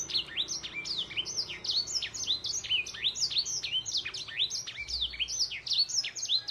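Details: Trained crested canary ('isian' song) from Gunung Kidul, Indonesia: rapid chains of bright, descending whistled sweeps, closely packed and steady throughout, with faint low background hum.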